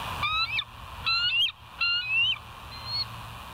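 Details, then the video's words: Bald eagles at the West End, on a live nature cam on 21 September 2023 at 06:55; three high whistled phrases, each a quick run of notes sliding downward, separated by short pauses over steady background hiss. "West End Bald Eagles"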